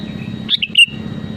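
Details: Sooty-headed bulbul (kutilang) in lively song, used to provoke rival birds into singing: one short bright whistled phrase of quick slurred notes, over a steady low hum.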